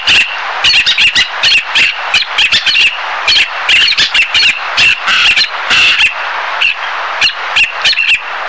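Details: Black-naped tern calling along a coast: dense, harsh, rasping squawks repeated rapidly in bursts, several overlapping, with steady background noise throughout.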